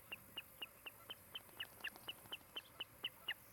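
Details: At a Montana nest camera in Charlo on a mid-July 2018 afternoon, an osprey from a nesting pair gives a steady string of piercing, clipped whistles, roughly four per second, with a few slightly lower notes mixed in.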